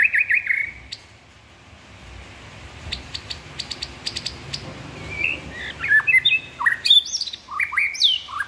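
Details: A whistled opening note and a scatter of faint ticking clicks, then a lively run of varied looping whistles and slurred phrases from a white-rumped shama.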